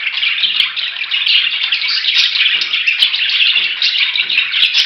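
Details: Rushing, unbroken budgerigar chatter at an even level, with overlapping chirps and a few sharp ticks.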